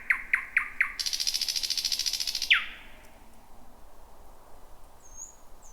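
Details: Night song of a thrush nightingale in dense bushes, 2026: four sharp knocking notes, then a fast dry rattling trill for about a second and a half, a downward whip, then soft distant whistles.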